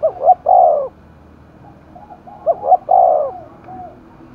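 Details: Spotted dove in Dong Nai, Vietnam, stirred for a contest, giving two close coo phrases, short notes leading into a long, low, falling note, with faint coos in the gaps.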